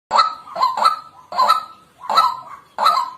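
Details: White-breasted waterhen giving loud, harsh honking calls in quick bursts of two or three notes, each burst separated by short pauses, about six calls in three seconds; no other clear sounds.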